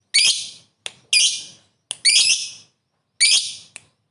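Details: Caged lovebird giving its long trilling ngekek song, meant to stir other lovebirds: harsh, high, buzzy rattling bursts about half a second long, each preceded by a short sharp click, separated by silence.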